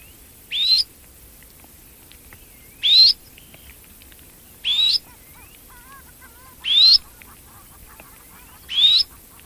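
A Red-necked phalarope gives sharp, high, upslurred chirps about every two seconds. Faint softer bird notes are heard between them.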